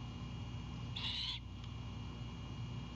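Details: Nest-cam owlet of a great horned owl in Savannah, calling at night on 4/7/22 as its mother brings an Anhinga: a single harsh, breathy screech lasting about half a second against constant low electrical hum.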